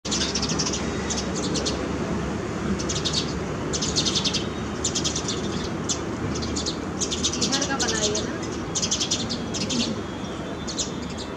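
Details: Sparrows calling on a terrace garden on a rainy day: bursts of high, dry chirps come in quick clusters every second or so throughout, over a steady wash of rain noise.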